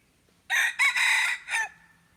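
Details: Decoy red junglefowl, recorded 10 March 2022, gives a single loud, hoarse crow of three broken segments, the long middle part sustained and the last note short, over a quiet background.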